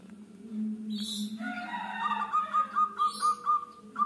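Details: Local zebra dove singing vigorously: a fast run of short, evenly pulsed cooing notes that quickens toward the end, over a steady low hum, with brief high chirps from other small birds.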